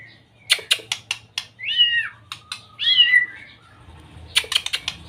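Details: Young white-rumped shama singing a lure song meant to stir reluctant shamas into singing: sharp clicks, then two looping whistled phrases that rise and fall, then another burst of clicks.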